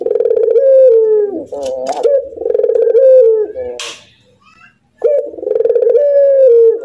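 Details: One captive Barbary dove laughing: two bouts of buzzy, falling coos with stuttered laugh notes, separated by a short silence and a brief scratchy sound.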